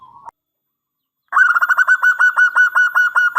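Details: Local zebra dove from Indonesia singing its long-opening angkatan panjang song, played as a lure for other doves. A brief soft note, then a pause and a fast, steady string of bubbling coos at one pitch.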